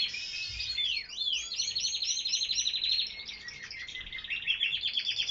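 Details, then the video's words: Canaries singing in an aviary: continuous high rolling trills and rapid repeated chirps, shifting tours with buzzy rattles and sweeping slurs, over a soft background hiss. "Canarios cantando"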